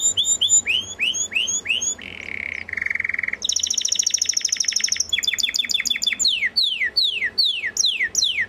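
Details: Belgian canary, described as a galador singer, delivering a varied song: a series of rising-falling whistled slurs, then a low buzzy tour, a fast high rattling trill and repeated sharp descending notes.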